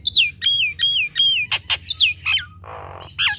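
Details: Nias hill myna in gacor kemrewek form, a run of four clear falling whistles followed by sharp squawky notes and a brief rough burst, all loud and close.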